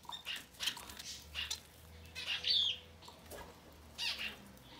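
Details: Society finch nestlings within their first ten days of life utter a series of thin, raspy wheezes, some doubled, spaced unevenly across a few seconds, over a faint low hum.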